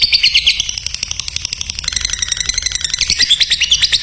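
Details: Lovebird song for training other lovebirds: quick shrill chirps, a quieter buzzy passage, then loud rapid chirping again.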